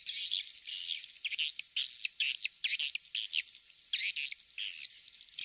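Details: Swiftlets calling on a recording meant to draw them to nest houses, with repeated high, buzzy twitter bursts about every half second and short clicks between them.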